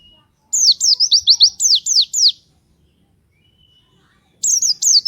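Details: A white-eye (pleci) shoots out its rapid lure song to set other white-eyes singing: about ten high, sharply falling notes in quick succession, then silence, then another fast burst. The setting is quiet.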